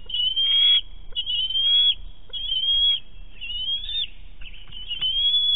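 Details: Young bald eagle at the nest squealing with excitement as food is delivered: long high whistled squeals, each drawn out and slightly rising, repeated about once a second, with low continuous background noise.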